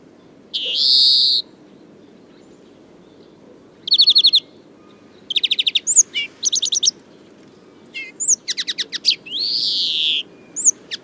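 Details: A male European greenfinch singing in spring mixes rapid twittering trills with long, nasal, wheezing 'dzweee' notes.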